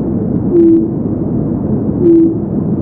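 Japanese night heron giving two deep, flat hoots about one and a half seconds apart, each brief and owl-like, over a steady background hiss.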